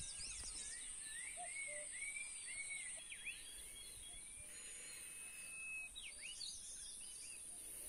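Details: Bird chirping: a run of short upslurred and looping notes, with one long steady whistle near the middle, over a constant high hiss and a faint low rumble.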